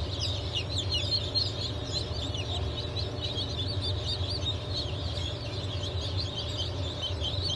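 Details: Hatchlings of Legbar, Silver Wyandotte, Sussex and GSG Wyandotte chickens, hatched 28 June 2023, keep up nonstop shrill peeping from many chicks, short descending notes packed closely, with a deep continuous hum below.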